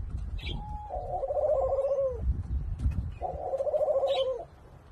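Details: Courting Senegal dove × ringneck dove hybrid from Thailand, possibly F2, giving two drawn-out vibrating coos that begin with a short clear note, over low background rumble and faint chirps.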